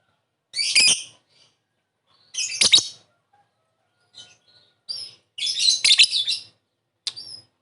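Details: Lovebird calls used as a lure for quick response: harsh shrill chirps at irregular intervals, a longer squeaky multi-note burst near six seconds, and a few faint short notes between.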